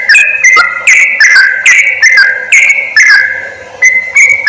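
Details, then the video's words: Yellow-vented bulbul sound for trappers luring wild birds: clear sustained whistles broken by crisp chirps, a lively chattering sequence that briefly eases before resuming. "SUARA PIKAT BURUNG CRUKCUK/TRUCUK"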